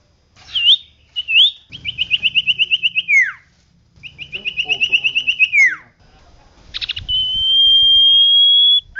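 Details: Common iora in loud, insistent song, recorded as a tutor for caged birds: two short looping whistles, two trills of roughly eleven fast notes each ending in falling slurs, then a buzzy burst and a long steady whistle.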